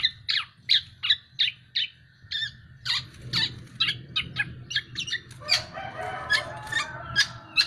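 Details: Black-naped oriole, a tame bird in full voice, giving a rapid series of sharp, clipped chirps and ringing notes about two to three per second. Louder overlapping buzzy phrases come near the end over a constant low background hum.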